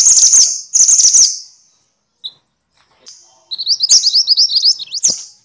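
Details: Noisy mantenan or sepah minivet of genus Pericrocotus, recorded as training material for songbirds: two rasping hissy bursts, a quiet gap with a single faint chip, then a fast series of high chirped notes ending in a sharp downstroke.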